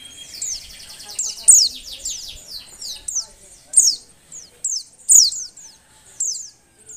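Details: Female Oriental white-eye in breeding condition, used to make reluctant males sing: rapid series of high, thin falling chirps, some run together in quick trills, with faint lower sounds beneath.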